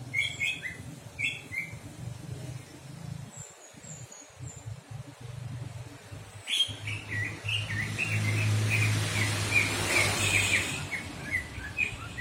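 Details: Several birds twittering, with sparse chirps early on, then a dense burst of quick high notes over a steady low hum and rustling.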